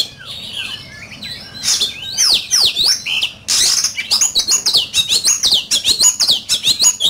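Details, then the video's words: Oriental magpie-robin in a heated song duel: scratchy notes give way to bold rising and falling whistles, then a rapid series of bright, arching phrases repeated in quick succession. "Chòe Than,Bộ Đẹp,Hót Đấu Căng Lửa"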